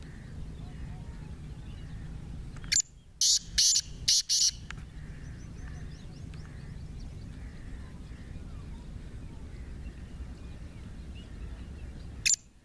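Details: Partridge (teetar) used for fighting, a bird with 28 calls, utters four or five harsh, grating bursts in quick succession, followed by a long stretch of background hiss, faint chirping and one more late burst.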